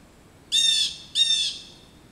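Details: Blue jays in a back yard scolding a roosting adult male osprey: two loud, harsh, buzzy jeers about half a second apart, each a broad harmonic-rich rasp, over a quiet background.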